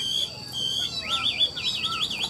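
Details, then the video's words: A caged hwamei, a Vietnamese sale bird noted for its warbling song, gives a brief steady whistle, then a rising slur into a fast, wavering trilled whistle rolling up and down. "Họa mi đẹp hót hay, Cao cầu đuôi lá vả, Gật gù luyến láy hót như máy"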